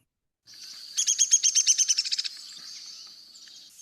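A Downy Woodpecker's long call: a quick whinny of about a dozen sharp, high notes that slides down in pitch, over a steady high hiss.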